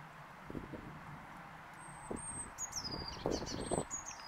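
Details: Blue tit calls: a series of thin, very high notes in short bursts, clustered in the second half, over a soft low rumble and occasional rustling thuds.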